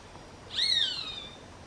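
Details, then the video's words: A single piercing, nasal scream from a Roadside hawk (Rupornis magnirostris): a sharp start that bends slightly up, then trails downward for nearly a second, harmonics ringing above it against quiet background hiss. "Gavião-carijó (Rupornis magnirostris)"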